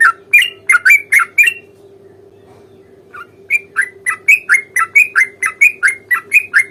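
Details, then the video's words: Fighting song of a Sooty-headed bulbul in a long rapid roll: a run of bright whistled chirps, a short quiet gap, then an even, fast series of about fifteen similar notes over a faint hum. "trucukan gacor tarung ROPEL PANJANG pancingan trucukan agar bunyi"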